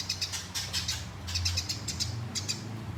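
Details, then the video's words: Eurasian tree sparrow in fighting mood, 'ngeroll' rolling song meant for training competition birds: scattered high, clipped chirps in small clusters over a steady low hum and background rumble. "Gereja Tarung Ngeroll Abis"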